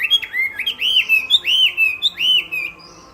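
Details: Chinese hwamei singing in contest style: a series of bright, ringing, arched whistles, each sweeping up and down, delivered in quick succession with short higher accents. The song ends abruptly, leaving quiet background.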